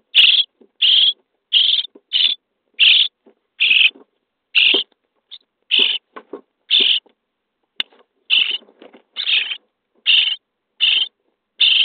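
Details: Common starling young in a nest box, day 23, begging as they are fed: repeated harsh buzzy rasps, irregularly spaced, with faint scratching and shuffling between calls.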